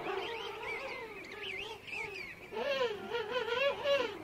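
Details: King penguin adults calling in a colony of adults and chicks at Right Whale Bay, close up; overlapping warbling, wavering trumpet-like calls with strong harmonics, several birds calling over one another.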